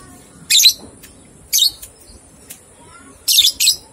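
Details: Lovebird ngekek training recording to stimulate two-month-old youngsters: short shrill rasping chirps, a single one, another a second later, then a quick pair, over low hiss.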